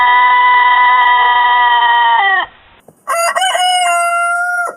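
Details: Roosters crowing on a chicken farm, one of many rooster types filmed there: a long, steady, richly harmonic crow held about two seconds then dropping off, followed after a short gap by a second, higher crow from another bird.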